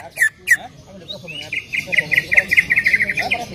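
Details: Greater green leafbird song used to make another leafbird sing: two sharp downslurred whistles, then a rapid, even series of short clipped notes repeated about seven times per second.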